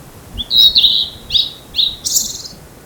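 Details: Singing blue-and-white flycatcher, one of two birds fighting over territory on 25 April 2026, ECM-M1 microphone: three descending whistled notes spaced about half a second apart, capped by a harsh buzzy ending.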